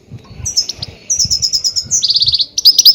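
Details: Goldfinch calls played to lure and catch grey-headed goldfinches, a fast run of high, liquid twittering notes. The notes rise into tight trilled rows and end in sharp, ringing chirps.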